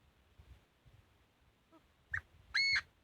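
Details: Chinese francolin fighting song: a faint short note, then one loud harsh burst with stacked harmonics lasting about a quarter second near the end. Low background hum throughout.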